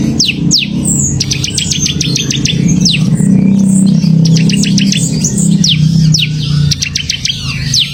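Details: Bar-winged prinia (ciblek) giving semi gacor song: bursts of rapid repeated high chips alternating with single sharp falling whistles, against a loud continuous low droning noise.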